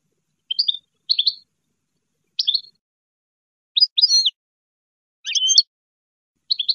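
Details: European goldfinch giving scattered, short scratchy twitters and chirps, spaced about a second apart, in an otherwise silent recording.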